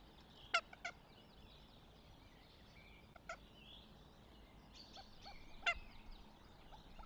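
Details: Northern goshawk at the nest, Tartu, Estonia, late April 2025. A few brief, harsh calls are given irregularly, the loudest near the start and end. Woodland birds sing and twitter throughout.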